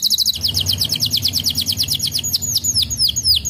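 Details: Canary singing, used to get a reluctant canary to start singing: a fast run of short repeated high notes, then slower, wider down-slurred whistles toward the end; faint low hum underneath.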